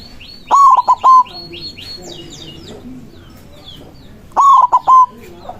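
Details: White zebra dove used as a lure to call rival zebra doves, singing loudly: two short phrases of three or four fast, wavering cooing notes, separated by a pause of about four seconds, with thin chirps from other birds behind.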